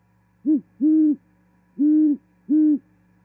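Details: Great horned owl singing at a Charlo, Montana osprey nest on 18 January 2021 as the female arrives for mating; a steady pattern of one short then three long, evenly spaced deep hoots.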